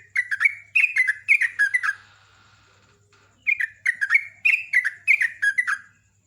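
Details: Sooty-headed bulbul in champion-style 'ropelan' song, a fast, strong, very chatty delivery: two bursts of rapid, clear whistled notes, each note dropping in pitch, about six notes a second, separated by a short pause with a faint hiss.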